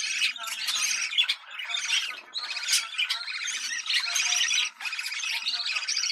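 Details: Budgerigar courtship chatter for breeding stimulation, bursts of buzzy warbling and chirps in phrases separated by short pauses, fairly loud throughout.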